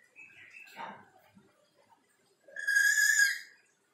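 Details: Black-capped lory calling from behind a window, eager to keep singing: soft scattered notes, then a loud, drawn-out harmonic whistle lasting about a second.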